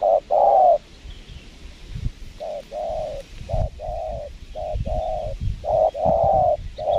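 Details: Spotted dove answering a lure bird during a trapping session at a windy spot in Lombok: low hollow coos in short-then-long pairs, repeated steadily, over a low rumble of wind.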